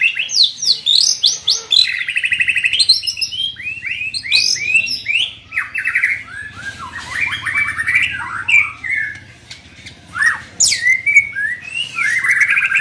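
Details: A young white-rumped shama being trained delivers a long, varied song of rapid whistles, chattering trills and sharp upslurred notes, rich and high-pitched with brief pauses between bursts.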